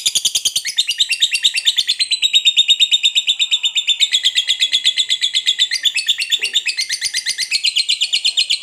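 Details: Long 'ngekek' trill from a lovebird kept as a fighter bird: a continuous high, rattling chatter of very rapid pulses, slightly wavering in pitch, sustained for over eight seconds without a break.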